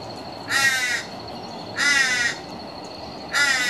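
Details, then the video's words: A juvenile and an adult Torresian crow at a home on 02/02/15: three drawn-out, harsh, nasal caws, each about half a second long and roughly a second apart, over a steady thin high whine. "Juvenile and Adult Torresian Crow"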